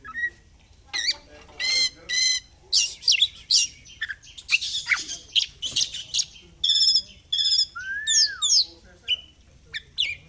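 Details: Oriental magpie-robin (kacer), a caged fighter-type bird singing energetically in ngobra display. Loud, varied song of rapid rattling trills, harsh chattering bursts and clear whistles, including a slurred falling whistle near the end, with short pauses between phrases.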